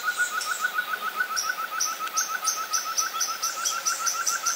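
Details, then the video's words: Such's antthrush (Chamaeza meruloides) recorded in Santa Bárbara, Minas Gerais, Brazil, sings a fast, even string of short, hollow mid-pitched notes, about five a second, with high, thin chips from another bird or insects above. "Tovaca Cantadora (Chamaeza meruloides)"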